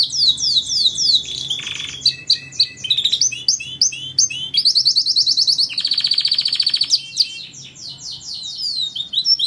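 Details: Canary song recorded as a model for starlings and other songbirds to learn: varied bright phrases of descending sweeps, sharp chips and fast rattling trills, including a long rolled trill midway, delivered quickly and without pause.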